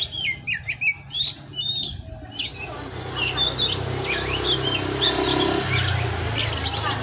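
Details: Indonesian captive kacer, Oriental magpie-robin: bursts of clear whistles and scratchy notes at the start, then softer scattered whistles as background noise and a low hum build up.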